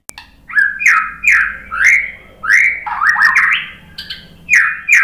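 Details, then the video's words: White-rumped shama, the murai batu, responding to a lure recording with a string of loud slurred whistles, each swooping upward, repeated about twice a second, including a rapid stepped rising run, over a faint low hum. "biar BUNYI ‼️ MURAI BATU jadi kepancing NYAUT ikut GACOR ¦ PANCINGAN MURAI ¦ SHAMA BIRD"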